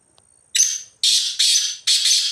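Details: Black francolin (kala teetar) roaming free in the wild: a faint thin whistle, then four loud, harsh, grating notes in quick succession, each a broad hissy rasp lasting about a third of a second.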